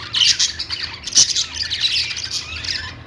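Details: Budgies kept as pets warble and squeak in a dense, scratchy chatter, with sharp bright chirps punctuating the continuous flock babble.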